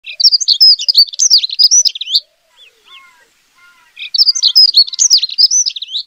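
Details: A Dunnock (Prunella modularis) sings two hurried, high, jingling warbles of about two seconds each, with a short pause between where faint lower whistles from another bird are heard.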